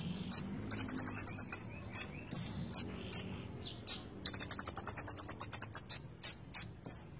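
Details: Konin bird in full song with fill-in phrases. Rapid high buzzy trills repeat between single sharp notes and downslurred whistles, with a brief fast chip series near the end.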